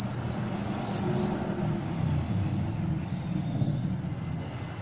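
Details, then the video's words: Ruby-cheeked sunbird, caged and trained for Indonesian song contests, giving scattered thin high chirps, singly and in pairs, separated by pauses over a noisy background. "Kolibri Ninja Gacor Isian Jangkrik Kapas Tembak Cililin"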